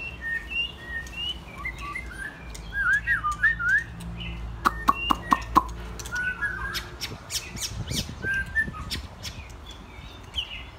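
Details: Several young white-rumped shamas, most in their first molt, playing together: overlapping whistles, squawks and twittering notes, broken by sharp clicks and knocks, with a constant low hum underneath.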